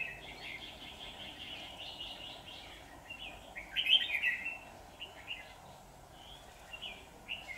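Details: Red-whiskered bulbul singing during a trapping session on 23 September 2019, a decoy bird dueling to provoke wild rivals; rapid short warbled phrases, many per second, with a louder burst midway over steady low background hum.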